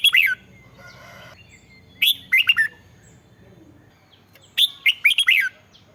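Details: Song of a caged red-whiskered bulbul, used to make other caged birds lively: three clear phrases of rapid, liquid whistled notes that rise and fall, roughly two seconds apart, with a faint low hum between them.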